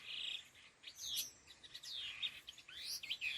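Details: Khứu lùn laughingthrush calling in đôi hung gọi đằng fashion, a held whistle, then busy overlapping slurs and chips that rise and fall, closing with another steady whistled note.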